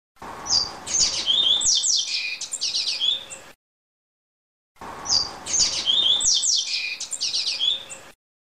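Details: Double-collared seedeater singing the "Grego" song type, a quick, varied three-second phrase of high whistles, chips and buzzy trills, given twice with a short silence between.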